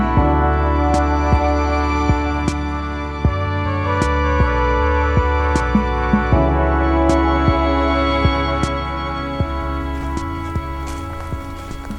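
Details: Slow, sustained instrumental music with steady tones and soft percussive accents; no animal voices are heard.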